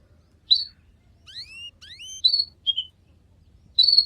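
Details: Canary giving sparse bright chirps and thin downward-sweeping whistles in short bursts separated by brief pauses, over faint low background hum.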